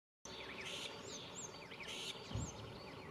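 Common starling giving short, high, slurred whistles and two bursts of harsh, scratchy chatter, over steady outdoor background noise.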